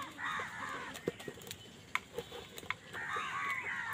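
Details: Crows fighting over food give harsh, drawn-out calls at the start and end, with sharp knocks and brief squawks in between.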